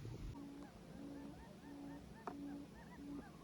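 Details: Quail calling near a quail trap in Cambodia: low steady hooting notes, each about a third of a second, repeated roughly every second and a half, with faint higher chirping calls and background hiss.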